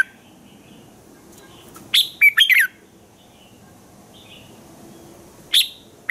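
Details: Red-whiskered bulbul morning song, played to train other bulbuls: one clear phrase of four rapid whistled and chirping notes, then a single sharp note and the start of another near the end, with faint soft calls between.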